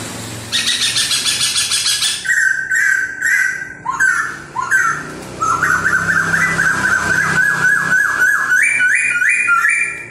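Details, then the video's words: Laughingthrush in full song while dancing, delivering a buzzy harmonic burst followed by loud upslurred whistles and a long rapid series of looping whistled notes that rise toward the end, with low background hum. "CHIM KHỨU CĂNG LỬA II HÓT - MÚA HAY"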